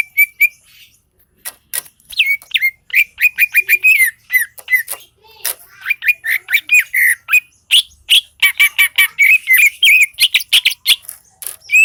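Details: Greater green leafbird of the Seulawah valley, Aceh, in full gacor song: a restless, irregular stream of sharp chirps, squawks and short bright whistles, with bursts of rapid notes and brief pauses between.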